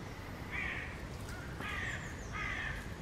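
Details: Pair of black-necked cranes in territorial display toward a neighbouring pair of red-crowned cranes, giving three loud, harsh, trumpeting calls a bit over a second apart, against a steady low wind rumble.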